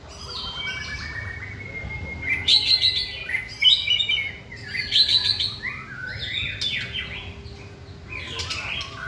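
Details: White-rumped shama in a singing training session. A long steady whistle runs into dense bursts of high twittering and trilled phrases, repeated in loud clusters every couple of seconds with quieter stretches between.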